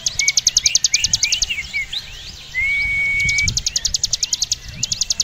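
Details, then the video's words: Javan prinia, locally ciblek gunung, singing a long 'ngebren' rattle of rapid high ticking notes; in the middle pause, other birds give sliding whistles and one long steady whistle before the rattle resumes. "Ciblek gunung gacor ngebren atas bawah"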